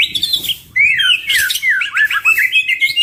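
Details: White-rumped shama pair in energetic varied song: fluid whistles sliding up and down, rapid twittering and short sharp phrases delivered almost without pause, recorded close, meant as a master song to prompt other birds.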